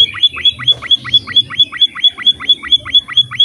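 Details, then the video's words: A munia (Indonesian emprit, 'pipit finch') sings a lively song played to train other birds to call. It is a fast, even run of short, high, chirping notes, about four each second, over a faint low rumble. "burung emprit Pipit finch"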